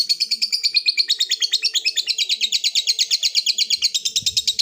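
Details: Long ngekek trill of a lovebird calling a rival, rapid high chattering pulses repeated evenly without pause, with a brief low thump near the end.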